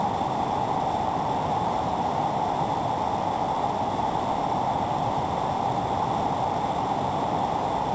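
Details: Continuous broad roar of running water with no calls above it.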